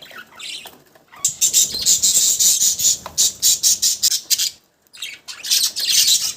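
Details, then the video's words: Budgerigars in a fast, buzzy chatter of high, scratchy notes repeated several times a second, with a brief pause before the chatter resumes. "Cute budgies sound"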